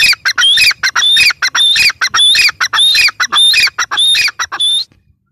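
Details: A grey francolin's loud, insistent call repeats rapidly for nearly five seconds, grating chattering notes rising into high shrill whistles in a regular, rolling cadence, ending abruptly in silence.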